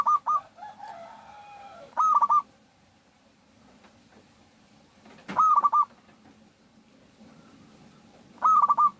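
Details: Vocal local zebra dove used as a lure to prompt other doves: repeated cooing phrases about three seconds apart, each a held note breaking into rapid pulses, with a brief jumble of other bird notes at the start.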